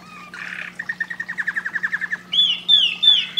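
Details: Canary song played to stimulate and prepare canaries: a buzzy opening phrase, a quick run of about a dozen clipped repeated notes, then bright, high sweeping whistles over a faint steady hum.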